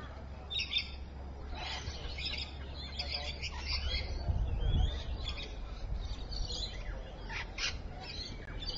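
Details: Rainbow lorikeets calling at Evans Head on the afternoon of 26 May 2012, 3:45 PM: a continuous run of rasping, shrill screeches and chatter in quick bursts, over a low rumble of background noise.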